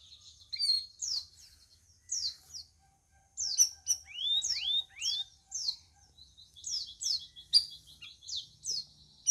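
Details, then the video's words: Caged sooty-headed bulbul, on its fourth day of care, answering other birds during training: high thin chirps and sharp upward-sweeping whistled slurs in short bursts, a run of rising notes mid-way, separated by brief quiet gaps. "CUCAK RAWIS HASIL RAWATAN HARI KE-4 LANGSUNG BISA NYAUT"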